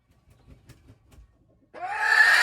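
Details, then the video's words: Hen crowing on January 21, 2025. Faint low rustling comes first, then a loud, harsh, rising crow starts and holds to the end, cut off mid-call. "hen crowing, poj qaib qua poj qaib seev"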